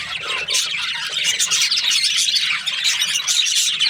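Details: Budgerigar in a cheerful mood, giving a steady run of harsh chirps and squeaky warbles packed tightly together, with no pauses.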